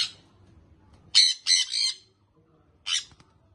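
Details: Baby sun conure parrot giving harsh, broadband squawks: a burst of three close calls around one second, then a single squawk near three seconds, with quiet gaps between.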